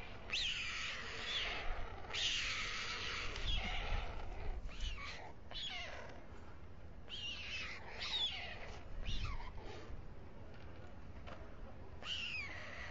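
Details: White storks at a nest on the Alcalá de Henares town hall tower, Spain: a male feeding two chicks at dusk, 21:55. Harsh, hissing, downward-sliding wheezes come in irregular bursts, with soft low rumbles beneath.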